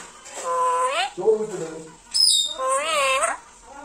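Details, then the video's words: Sweet-voiced pet black-capped lory talking, a first for the bird: several wavering, voice-like syllables in quick succession, a short piercing whistle, then one more long rising-falling phrase. "parrot talking ഇങ്ങനെ സംസാരിക്കണത് ഫസ്റ്റ് ആണ് black cap Lori sweet voice lori keet sweet talking"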